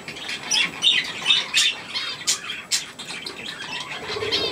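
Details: Budgerigars with young feeding on millet, loud harsh squawks about every half second, each a buzzy burst with harmonics, between softer chatter.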